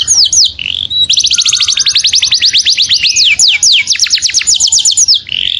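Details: Saffron finch calling to its companion with a loud, fast rattle of repeated sharp downstrokes, broken by a few longer slurred whistles, in a clear voice.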